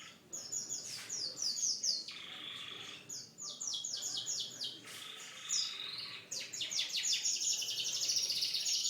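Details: Canary pouring out a song of descending slurred note series and rolling buzzy trills, ending with a long loud rapid high trill.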